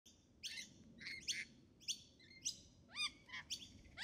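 Rainbow lorikeets give harsh, shrill screeches in quick bursts, about two every second, some overlapping as if from several birds, over a low steady background hum.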